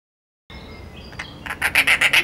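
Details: Dollarbird, a bird of northern and eastern Australia: after a quiet start with faint thin tones, a burst of harsh, rasping notes begins, repeated rapidly about five times a second.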